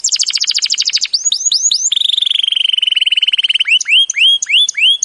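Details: Canary master song used to prompt canaries that have stopped singing: loud rapid trills of bright notes, then a long steady run of repeated pulses, ending in a series of rising swooping whistles, with no other sounds.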